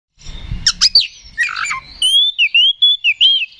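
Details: Oriental magpie-robin in loud, open fighting song, used as a lure to provoke rivals and raise their aggression: a few harsh scratchy notes and a low thump open it, then a run of clear whistled notes, rapidly repeated and slightly wavering.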